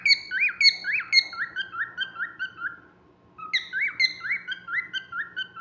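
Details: A happy cockatiel whistles a lively series of clear, rising-and-falling notes, pausing briefly before repeating the phrase.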